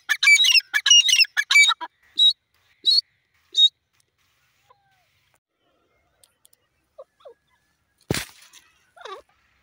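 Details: Francolin (teetar) calling, described as a jungle bird; a loud, harsh series of ringing notes repeated rapidly, then several spaced single squeaky notes, followed by silence, a sharp click and faint small sounds.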